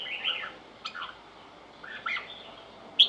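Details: Red-whiskered bulbul giving sparse, gentle whistled warbles in short phrases separated by pauses, closing with a sudden sharp high note.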